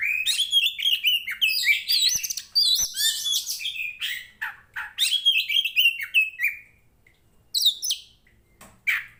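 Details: Oriental magpie-robin, a kept fighting bird in full aggressive song, sings a rich, varied run of sweet whistles, slurred notes and scratchy trills in quick bursts with brief pauses.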